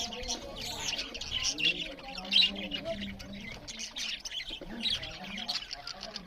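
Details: Loud chirping from budgerigars while eating, a steady stream of scratchy high twitters and warbled notes with soft low humming tones in the background.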